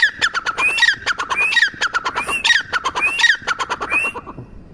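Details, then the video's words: Grey francolin giving a fast, ringing series of upslurred whistles mixed with harsh clicking notes, phrase after phrase with almost no pause, ending in a fading note. "teetar ki awaz"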